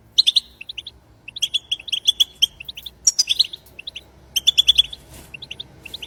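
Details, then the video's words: European goldfinch song of the batbata khalawiya style, for stimulating goldfinches to sing: clear, tinkling chip notes in quick groups, a brief higher twitter midway, then another rapid run of bright notes. "بتبتة خلوية جديدة لتحفيز الحسون على التغريد بتبتة خلوية لتحفيز طيور الحسون"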